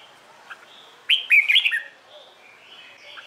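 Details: Morning song of a Red-whiskered bulbul trained for singing contests; a single bright, tumbling phrase of four or five warbled notes, preceded and followed by faint quiet whistles.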